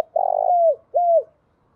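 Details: Spotted dove decoy call meant to lure wild doves: one long buzzy, vibrating coo sliding down at its end, then a smoother, clear coo that also drops away, both low and mellow in a quiet setting.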